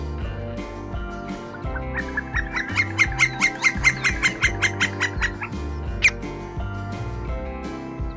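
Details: A Green-barred Woodpecker (Colaptes melanochloros), a common woodpecker of Buenos Aires province, Argentina, gives a steady series of about fifteen loud, ringing notes, roughly four a second, over soft background music. Its song is very similar to the Campo Flicker's.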